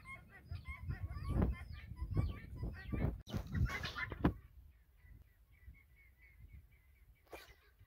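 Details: Guineafowl in a flock following a hen on a farm: grating, harmonic calls in quick succession for the first seconds, then loud low thumps and handling noise, with softer calls resuming near the end.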